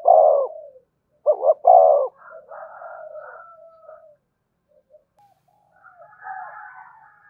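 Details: One loud spotted dove coo phrase, two short rising notes and a long low note, used to lure wild doves in quickly, followed by fainter, higher and more distant dove calls.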